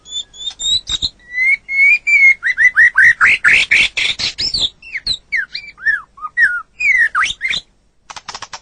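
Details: Lively white-rumped shama song recorded for masteran training of songbirds: high paired whistles, a sustained whistle, then a fast tumbling series of rising and falling whistled and buzzy notes, ending in a short chatter.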